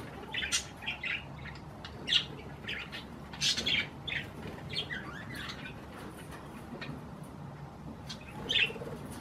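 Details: Pet budgerigars eating cherry tomatoes give scattered short chirps and squawky notes in bursts, with gaps of quieter murmuring between them.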